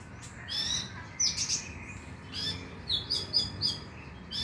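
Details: Konin used as a lure so that the bird sings at night: high, thin, twittering chirps that come in quick clusters, with short silences between the phrases.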